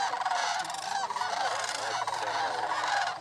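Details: Sandhill cranes on their annual migration at Paynes Prairie State Preserve near Gainesville, North Florida, where thousands of birds gather; a dense chorus of overlapping rolling, trumpeting calls, continuous and unbroken.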